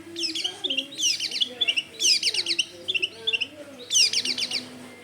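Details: Long-tailed shrike song played as a lure: short bursts of rapid, scratchy, descending notes, each burst lasting under a second and separated by brief pauses. A faint low tonal hum is in the background.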